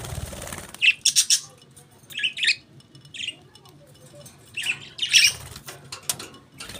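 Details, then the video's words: Budgies give sharp squawks and scratchy chirps in short separate bursts, some with thin whistled notes, spaced irregularly over several seconds against a quiet low hum. "Budgies Beautiful Chirping Sounds"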